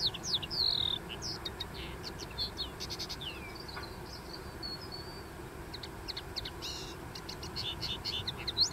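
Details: Twittering song of a common linnet on a dune. Rapid bursts of short chirps and buzzy notes mixed with thin whistles come in two bouts, with a quieter gap mid-way. Steady low hiss underneath.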